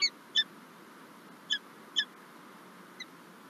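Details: Peregrine falcon at its nest in Lublin, Poland, on 9 March 2024, during egg laying, with the male bringing prey; five clipped, rasping notes, some close pairs, the last one softer, over constant low hiss.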